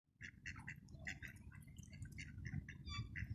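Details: A black swan gives a quick run of high, nasal chirps, several per second, over a steady low rumble, with a white swan "snoring" and ducks quacking nearby, at Princess Park, Eastbourne, UK, at 8 pm on 23 May 2022.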